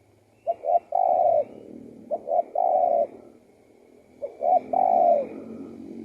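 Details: Spotted dove singing a three-note coo phrase, two quick short notes and a long level coo, repeated three times about every 1.8 seconds over faint background hum.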